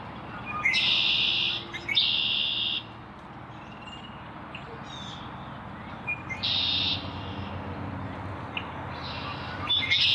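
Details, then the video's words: Red-winged blackbird giving harsh, buzzy trills, each about a second long, heard four times with long pauses between, over a steady low background hum. "Red-winged blackbird"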